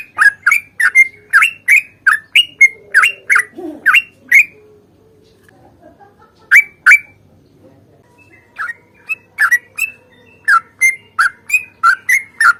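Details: Sooty-headed bulbul fighting song with long rapid rolls, wild-type style used to prompt other bulbuls to sing: bursts of short, chattering, slurred notes, about three per second, broken by a pause of about two seconds midway.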